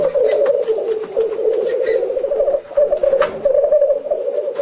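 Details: Home footage of a black grouse display: an unbroken low bubbling warble, pulsing rapidly, with a few quick hissing bursts and a faint higher note early on.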